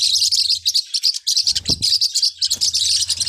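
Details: Bright, rapid chirping from Forpus parrotlets, many short high notes run together into a continuous twitter, with a low thump and a faint hum in the background.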